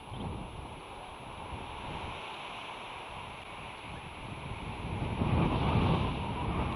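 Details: Steady wind and surf rumble on the microphone, swelling louder toward the end, with no animal calls.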